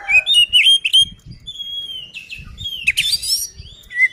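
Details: Oriental magpie-robin in a lively fighting-style song meant to provoke rival birds: clear whistled notes and slurred phrases around mid-high pitch, mixed with harsh buzzy bursts, short repeated notes at the start, low thumping noises underneath.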